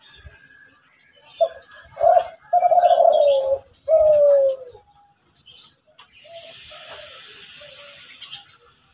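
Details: A Kelantan zebra dove sings actively in the morning, giving a short coo, then two long vibrating coos that drop in pitch. A steady hiss and faint bird chirps follow.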